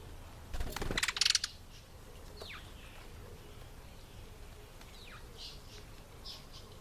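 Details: African green pigeon, Treron calvus, calling while eating an apple: a loud crackling burst of rapid pulses near the start, then a few faint descending whistled slurs later on, over a quiet rural background.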